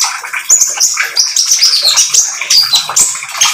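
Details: Oriental magpie-robin song for luring birds into singing: rapid sequence of high whistled phrases and twittering notes, sliding and repeated without break, against a steady hiss.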